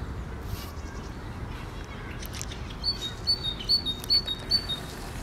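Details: Great tit delivering its song: evenly spaced two-note phrases, each a high note stepping down to a lower one, about five repeats, over a steady soft background hiss.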